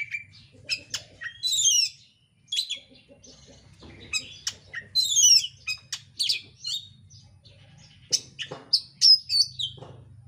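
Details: Dense, rapid lure song of an oriental magpie-robin, used to spur other birds into song: varied high whistles, harsh squeaky notes and descending slurs in irregular bursts, a brief pause near the start, over soft low rumble.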